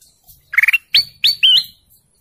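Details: Golden canary song: a quick buzzy trill of four pulses followed by three clear rising whistled chirps, each with a short upward sweep.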